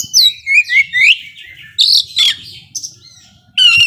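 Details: Oriental magpie-robin song meant to rouse sluggish rivals: high, clear whistles rising in quick slurs, then a burst of buzzy harsh notes and a short squeak, with quiet pauses between, ending on a loud ringing phrase.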